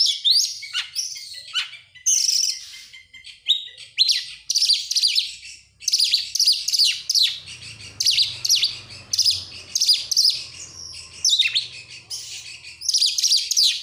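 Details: Oriental magpie-robin lure song for prompting other birds to sing: a dense, continuous stream of loud, rich chattering phrases and high whistles, with little pause between bursts.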